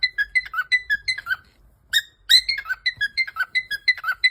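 A cockatiel whistles a quick run of clear, bouncing notes copying a phone notification tone.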